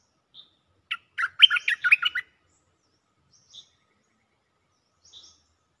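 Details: Cream-vented bulbul singing to call a mate, with a soft whistled note, then a hurried phrase of around eight warbling, liquid notes, and afterwards scattered thin high whistles in a quiet background.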